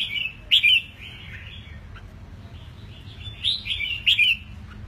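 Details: Red-whiskered bulbul, a caged eight-month-old that has just finished moulting, pours out a loud, bubbling whistled phrase, pauses, then gives a second run of sweet, slurred notes over a low hum.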